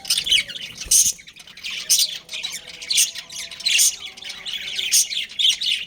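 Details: Breeding pair of pet budgerigars chattering busily: bursts of high, scratchy chirps and squawks pulse roughly every second, with faint tonal whistles underneath and no other clear sounds.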